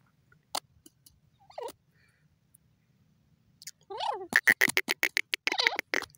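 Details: Female grey francolin (teetar) calling: a few scattered single notes, then a dense run of quick, harsh, repeated strokes with wavering harmonic notes woven through them toward the end.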